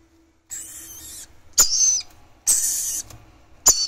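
Red-collared lorikeet chicks give harsh, hissing rasps in four bursts, each under a second long, with a faint low hum underneath.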